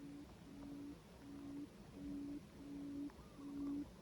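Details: Quail, with a caged decoy quail used to draw in other quail, gives a low, soft humming hoot repeated about every 0.7 seconds. Six even notes sound over a faint background hiss.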